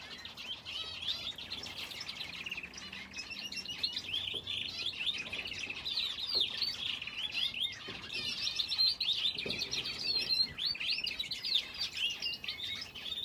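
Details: Finches in an aviary alongside a canary keep up a busy, unbroken chatter of high, fast chirps and twittering trills, many birds overlapping across the whole stretch.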